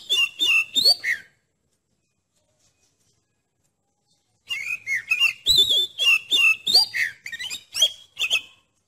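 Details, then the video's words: Oriental magpie-robin song played to test another magpie-robin's nerve: a brief burst of sharp whistles and chips, a pause of about three seconds, then a fast string of varied whistled notes and trills. "TES MANTAL KACER ANDA PAKAI SUARA KACER INI"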